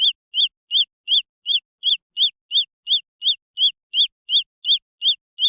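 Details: Jungle fowl chicks of the green junglefowl peeping in a very even series, high notes rising and falling, about three each second throughout.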